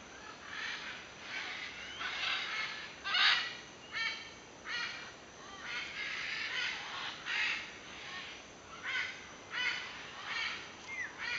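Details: Harsh, raucous macaw squawks at a macaw sanctuary come in irregular bursts about once a second, several birds calling over one another against a steady hiss.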